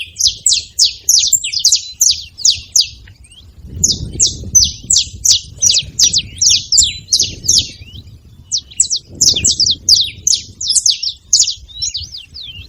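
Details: Many saffron finches making noise at a feeding spot, a long rapid sequence of high, sharp chirps in dense overlapping runs with brief gaps and occasional soft rustling beneath.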